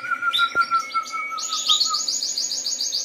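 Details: Harz Roller canary singing: a steady low rolling trill held for two seconds, overlaid by a buzzy high rattling tour that rises in pitch and runs on to the end.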